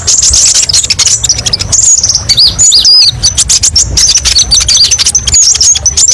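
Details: Kolibri ninja, the olive-backed sunbird, in varied 'tembakan pedes' master song: rapid high thin chirps and short whistled slurs, with a brief burst of rising and falling notes midway, steady throughout.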